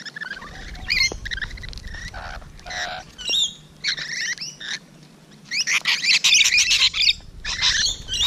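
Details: Rainbow Lorikeets at close range on the morning of 12 June 2017 give harsh, shrill screeches and chattering squawks in uneven bursts, several overlapping, with a low background rumble.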